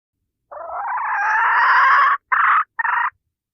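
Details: Hen call used as a decoy to lure roosters, from a 2025 recording: one long, drawn-out, slightly rising nasal note, then two short clipped notes. Nothing else is heard.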